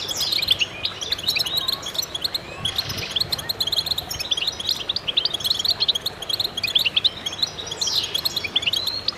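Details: Many goldfinches in concert, continuous high jangling twitter with quick rising and falling chirps and short buzzy trills layered over one another throughout.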